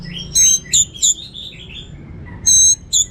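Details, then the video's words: Orange-headed thrush in full song with abundant varied material: short, very high ringing notes in separate bursts, mixed with softer warbled slurs between them. "Suara Gacor Burung Anis Merah Teler Materi Melimpah 100% Jernih"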